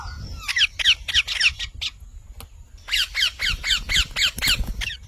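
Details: Harsh parrot squawks repeated rapidly in two runs separated by a brief quiet gap, each call a raspy downward-slurred screech, over low background rumble.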